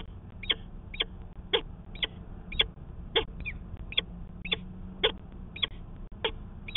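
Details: Nesting peregrine falcon in Manchester, New Hampshire, recorded 19 February 2020 during a pair conference. About a dozen sharp, high, chipping calls come at a steady pace of nearly two per second, over low background hum.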